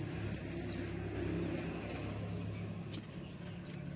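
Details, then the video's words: Sunbird called kolibri ninja, kept as a lure to provoke prinias and other birds. A few scattered, piercing high chirps with a steep falling sweep and long quiet gaps between them. "suara ribut kolibri ninja gacor nembak full durasi"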